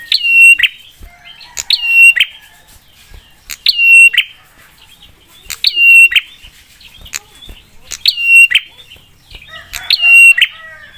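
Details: Prinia giving a sharp, provoking song to draw quick replies from rival prinias: six loud phrases repeated roughly every two seconds, each a snapping note, a held high whistle and a buzzy ending.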